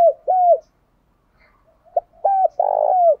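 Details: Spotted dove giving a lure call to draw wild doves, a 'thúc' fighting style. Loud, low, arched coos come after a pause: a brief note, two clipped hoots, then a drawn-out trilling coo that fades downward.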